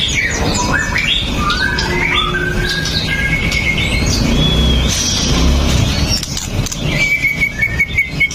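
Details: White-rumped shama known as murai batu pastol, fighter style, song meant to provoke other birds, phone-recorded: descending chains of slurred whistles, a high sharp burst, then a long flat whistle, over noise.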